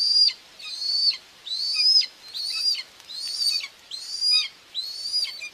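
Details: Common buzzards, a mother and two chicks being fed at the nest, Tiszalök, Hungary, 2 June 2024: steady series of shrill arched whistles, about six or seven, evenly spaced.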